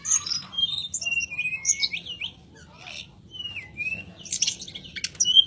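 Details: Mountain robin, locally tledekan gunung, singing: bursts of high thin whistles and slurred chirps, some rising and falling, broken by brief pauses, with a soft low murmur underneath.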